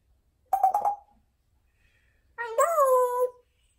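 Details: Pet female parrot with a large vocabulary mimics speech indoors: a quick stuttering burst of syllables, a pause, then a longer drawn-out voice-like word that rises and falls.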